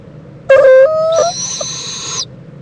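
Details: Owl mother and owlet preening together in Indiantown, Florida, late morning of February 26, 2014: a loud lower, reedy, harmonic note sliding upward, then a long thin high-pitched screech, against a quiet background.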